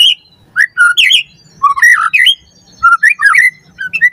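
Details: Captive-training lure of white-rumped shama song, a varied run of loud whistled and warbled phrases in short bursts separated by brief pauses.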